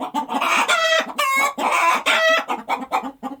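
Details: Just after laying, a hen alternates fast low clucks with three or four loud, nasal, rising squawks in a quick excited series.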